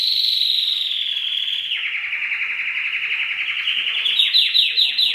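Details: Canary delivering a sustained high whistled roll that dips slightly in pitch, then breaks into a pulsed trill and a few separate downward sweeps.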